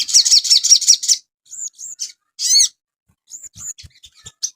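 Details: Crested jay (sogon), recorded for cage-bird training: a grating buzzy rattle, then thin high whistles and a cluster of rising slurred notes, ending in soft scattered chips and faint low thumps.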